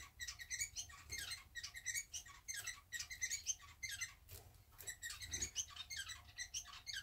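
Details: Pair of pet society finches huddled side by side, preening after a bath indoors; bursts of quick high scratchy chirps in clusters about every second, with soft feather rustling.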